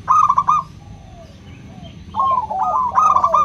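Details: Local zebra dove song for stimulating reluctant doves: a stuttered coo phrase, a pause with faint falling notes, then a dense burst of overlapping rapid coos rising to a held ending.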